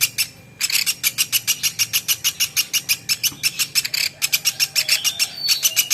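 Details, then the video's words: Woodpecker, a platuk beras, in a training recording for songbirds: after a short pause, a fast run of buzzy high notes about three per second, steady throughout. "PLATUK beras masteran"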